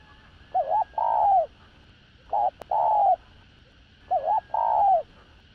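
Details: Spotted dove used as a lure, singing its calling, urging and cooing song. Regular three-part coos come every two seconds: a wavering double note, then a sustained coo easing downward. A faint hum and one click are heard.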